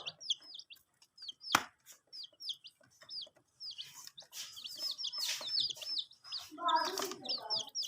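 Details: Several domestic chicks drinking water, kept warm with added heat; steady stream of high, arched and falling peeps, with a sharp click early on and some lower rough sounds toward the end.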